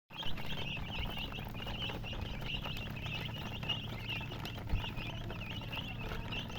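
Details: Baby chicks, described as coloured chicks, peeping together: a dense, continuous chorus of short high chirps over a steady low rumble of background noise.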